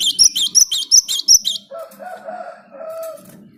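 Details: Repeated high, ringing chip notes from an active Java sparrow, a song used to encourage other birds to sing, followed by softer, lower drawn-out whining tones over a faint murmur.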